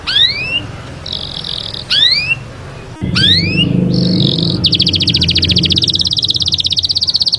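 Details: Canary singing: several quick upward-sweeping whistled notes, then short buzzy trills. It ends in a long, fast, rattling high trill. A low rumbling background is present throughout.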